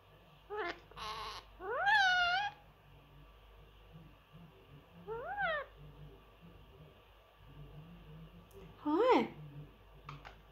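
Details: Pet male Indian ringneck parrot, three years old, kept indoors with other birds, known to say many phrases. Loud, rising, harmonic speech-like calls and one buzzy burst, with a person's kiss sounds and coaxing words between them.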